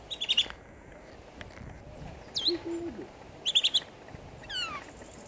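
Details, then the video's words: Superb starling singing in a zoo enclosure at Newquay Zoo in 2014: short bursts of rapid, high chattering notes, a sliding whistle, and a descending run of clicks, separated by pauses, with quiet background hum. "superb starling in song"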